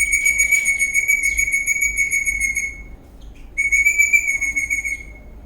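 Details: Eastern rosella parrot dancing in a happy mood, giving a long, steady, clear whistle held for nearly three seconds, a short pause, then a second matching sustained whistle with a slight waver; quiet background.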